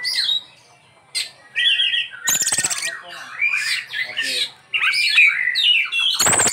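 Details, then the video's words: An Oriental magpie-robin's lavish 'isian' song: after a brief pause come clear whistles, a loud harsh rasp, and rapid rising and falling slurred notes, ending with another rasping burst. "Ini Die Burung Kacer Isian nya Super mewah"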